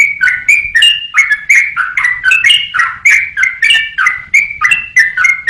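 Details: Yellow-vented bulbul singing for songbird-training use, a lively string of chirpy, gurgling whistles bouncing between higher and lower pitches, roughly three notes every second without pause.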